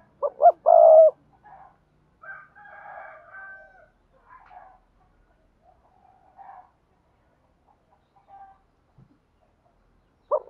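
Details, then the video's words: Spotted dove thúc gù coo for training newly caught doves: one phrase of two quick notes and a long low rolling note at the start, then scattered faint softer notes, and a new phrase beginning at the very end. "tiếng chim cu gáy thúc gù dùng luyện tập cu bổi mới gáy theo mỗi ngày"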